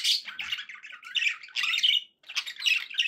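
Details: Budgerigar song from pet birds kept indoors, a rapid run of harsh chattering notes and squeaky chirps broken by one short silence after two seconds.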